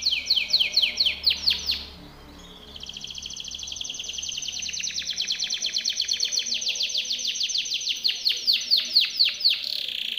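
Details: Powerful Timbrado canary training song: loud descending sweeps, a brief quiet moment, then a long rapid high trill that grows stronger and turns into swooping repeated notes near the end.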